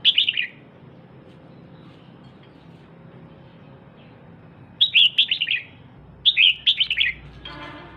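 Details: A female red-whiskered bulbul urges on the male with short rippling bursts of bright descending chirps: one brief phrase, a long quiet stretch, then two fuller phrases, with a hissing rustle at the end.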